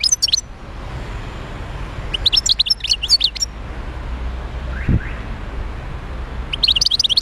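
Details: Wild goldfinch in Médéa sings fast jingling twitters in bursts, one at the start, a longer one in the middle and another at the end, over a steady low rumble with a brief thump.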